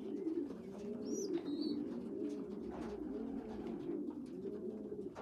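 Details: Young pigeons, a small poorly developed youngster feeding bigger well-developed young pigeons: a steady low murmuring coo runs throughout, with a few brief high squeaks near the start.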